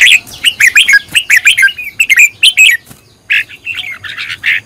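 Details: Red-whiskered bulbul in decoy training, fired up and singing a rapid run of loud warbled, slurred whistles, then a brief pause and a few harsher chirps.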